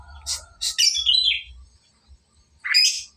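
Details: Young lovebird learning to sing long trills (ngekek), with harsh, noisy chatter bursts and a buzzy descending trill around the first second, then a rising scratchy burst near the end; low background hum.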